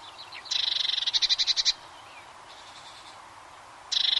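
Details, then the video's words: Eurasian blue tit sings a loud, high, ringing trill of rapid repeated notes for over a second. After a pause the trill starts again, with faint bird chatter in between. "Blue Tit's Enchanting Bird Song"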